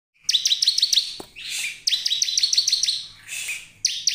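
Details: A bar-winged prinia sings in a recording used as a lure to set other prinias singing: rapid runs of sharp, high chirping notes, about five per burst, broken by brief harsh rasping bursts, with no other sounds.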